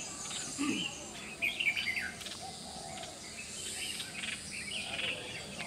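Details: Red-whiskered bulbul call, short bright chirps at about 1.5 and 5 seconds over a steady hiss of insects; Tai Po, Hong Kong, April 21, 2018.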